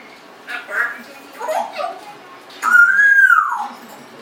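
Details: Congo African grey parrot, 1.5 years old, kept as a pet, vocalizing indoors: two short speech-like syllables followed by a loud, clear whistle that rises and then slides down.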